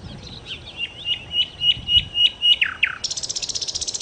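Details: Nightingale (sikatan londo) singing a series of about seven evenly spaced whistled notes, two steep downslurs, then a fast, rhythmic high rattling trill to the end.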